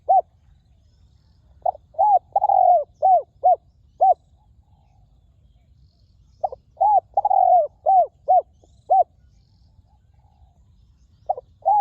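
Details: Resonant wild spotted dove at a ground decoy: three phrases of deep coos, each a few short clipped notes, a longer sliding coo, then several evenly spaced hoots, with quiet pauses between phrases.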